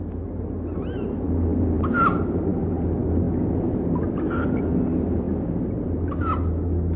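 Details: A pair of tawny owls trade three sharp, screechy mating cries about two seconds apart at night in forest, the male calling and the female answering, partly buried under a heavy, steady low rumble.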